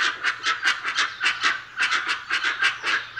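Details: Dusky-legged guan calling: a rapid string of loud, harsh, honking barks, roughly three per second, each note broad and raspy with a throaty edge, with a low steady hum underneath.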